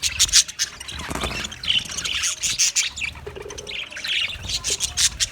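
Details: Budgies warble and squawk together, high rasping chirps overlapping in an uneven, busy babble with a few clearer whistled notes.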